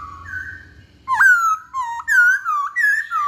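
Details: Masked laughingthrush singing as a lure for males: after a second of faint whistling, loud clear whistled notes come in short bursts roughly twice a second, sliding up and down.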